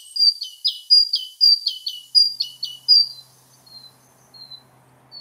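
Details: Great Tit stanza made of falling two-note syllables repeated in a brisk series for about three seconds, then trailing off into a few faint, thin single notes.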